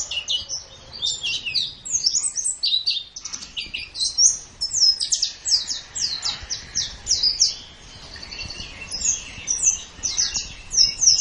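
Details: Extended white-eye song from a training recording for caged birds, recommended for morning or evening: dense, high-pitched chattering twitter of rapid slurred notes, slightly quieter near the middle of the passage.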